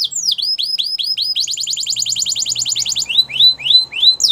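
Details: Belgian canary singing rising-falling whistled notes repeated about four a second, then a quick rolling trill and slower swooping whistles, with a faint low hum underneath.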